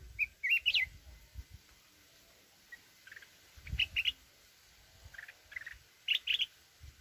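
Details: Mountain red-whiskered bulbul singing in wild forest voice to provoke other birds. One loud warbling whistled phrase opens, followed by softer, scattered chirpy notes and short phrases, with occasional low thumps.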